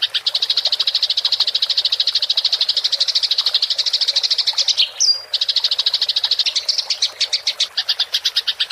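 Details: Fighting-style house sparrow chatter used as a training recording for songbirds: long unbroken string of rapid sharp chirps, interrupted near the middle by a short high whistled note, then the rolling chatter resumes and slows slightly.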